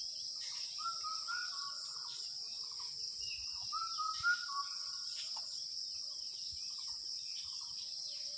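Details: An Asian koel calls in the Bengali month of Jyoishtho (May–June), giving two short runs of rising, stepped "ku-oo" notes a few seconds apart over a steady, high, shrill insect drone.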